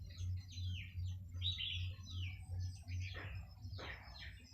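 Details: A flock of about five to eight red-whiskered bulbuls flying in before dusk to roost in woods behind a house gives short, bright, downslurred chirps, several per second, over a steady low hum.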